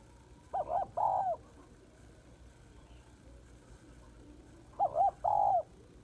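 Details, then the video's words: A female spotted dove calls twice to stimulate males, each phrase a quick double note then a sustained falling hoot, about four seconds apart. "Cu gáy mái kích trống"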